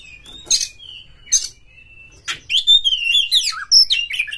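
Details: Shama song meant to stir rival shamas to sing, opening with two harsh rasping bursts over a thin drawn whistle, then a rapid run of twisting, sliding whistled notes that climb and fall.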